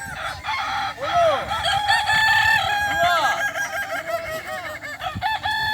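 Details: At a Kukuak Balenggek rooster contest final, boko class, Sirukam dairy farm, Solok regency, loud crows rise and fall in arched notes, one prominent bird around the first and third seconds, others overlapping throughout.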